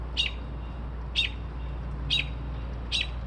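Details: A bird at 2:30-3:00am, said to mimic car alarms and sparrows, gives four crisp, high chirps about once a second, over a low background hum.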